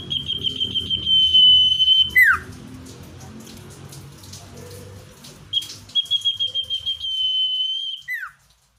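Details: Common iora, natural recording for luring wild birds: pulsed notes melt into a long, level, high whistle, then a plunging slur. After a noisy, water-like gap, the same phrase returns.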